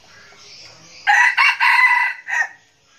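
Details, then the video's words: A captive red junglefowl used as a decoy, described as crowing frequently, delivers a loud crow of three harsh, broken bursts followed by a short tail note, with faint high background noise before it. "Gà rừng mồi siêng gáy"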